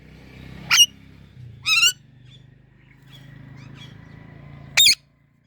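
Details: Indian ringneck parrot uttering three brief screechy chirps, including one trilled note, over a low steady hum.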